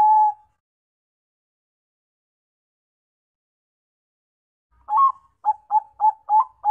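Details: Zebra dove of the Bangkok perkutut kind: the held final coo of one phrase, a long silence, then a new phrase of a rising opening note and a quick series of short staccato coos cut off at the end.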